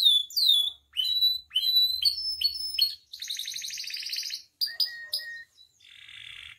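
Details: Canary in varied song, recorded to train and provoke captive canaries: downslurred whistles and steady tones, a long buzzy pulsed roll, short whistles, and a closing harsh rolling trill.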